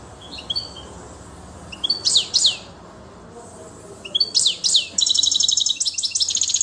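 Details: European goldfinch in full song, linked to Quetta: short high twittering phrases with sharp downward slurs separated by pauses, ending in a rapid buzzy, rattling trill over a faint steady background hum.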